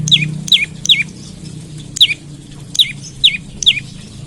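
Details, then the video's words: Olive-backed tailorbird in the morning, used as a lure to get other tailorbirds calling: seven sharp, downslurred whistled notes at irregular intervals of about half a second, with a low steady hum underneath. "Pancingan Prenjak Lumut Pagi Hari Bikin Burung Prenjak Bahan Cepat Bunyi dan GACOR"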